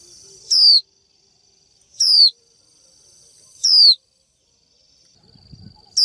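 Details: Female Japanese white-eye 'chíu' call to a male, said to set males singing. Four sharp falling whistles about every one and a half seconds, a constant high whine, and a brief low rumble near the end.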